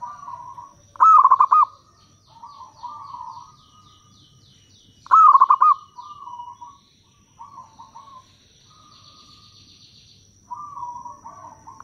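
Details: Local zebra dove in full loud song, a lure to make wild doves answer; rapid staccato trilled bursts recur about every four seconds, each trailing into softer purring coos, with a thin high hum throughout.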